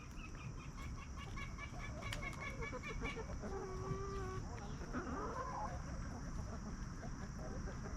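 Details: Free-range hens roaming a backyard farm yard, scratching in dirt and snacking, give soft drawn-out clucks and murmuring notes, several overlapping, over steady low background rumble.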